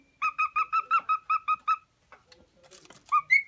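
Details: Lutino cockatiel, a tame male pet aged four from Minoh, Osaka, repeats a quieter two-tone whistle about five times a second, followed by soft clatter and a return of brief higher whistles.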